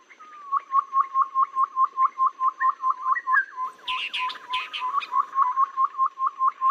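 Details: Babbler lure call for bird trapping, said to suit rainy and dry seasons. A long, even run of quick upswept notes, about two per second, briefly overlaid by a burst of higher scratchy chirps.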